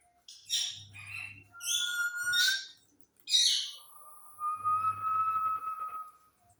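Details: A parrot known for whistling starts with several rough, squawky chirps, then holds one long, level, pure whistle for about two seconds over a soft low hum.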